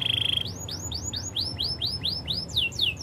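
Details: Canary performing Spanish Timbrado song for training: a brief metallic trill, then about ten evenly spaced arching whistled notes rising then falling, finishing with two steeper downward sweeps, over a soft low rumble.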